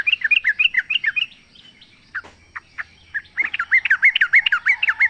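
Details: Wild sooty-headed bulbul in natural surroundings, used as bait audio for caged birds; a fast run of liquid slurred notes, a quieter gap with scattered calls, then another brisk rolling burst of whistles.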